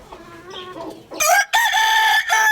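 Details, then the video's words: Rooster crowing loudly: after a second of soft, low background sounds, a harsh, strongly harmonic crow bursts in, breaks briefly, then holds as a long, steady, loud note to the end. "Adorable Rooster Crowing Loudly"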